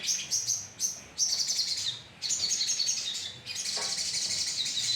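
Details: Crimson sunbirds in a colony, recorded as a lure: short high chirp bursts broken by short pauses, building into a continuous shrill twittering chorus near the end.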